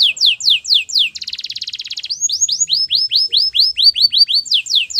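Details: Timbrado canary from Spain singing falling whistles, then a dense metallic rattle, followed by a long sequence of rising whistled notes repeated at a lively, fairly even pace.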